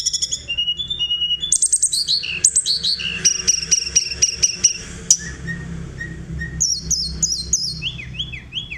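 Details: Sunda robin in lively rolling, flute-like song used to provoke other birds into singing: high thin whistles, rapid repeated chirps and bursts of slurred notes, ending in descending whistled strokes, with a faint low hum underneath.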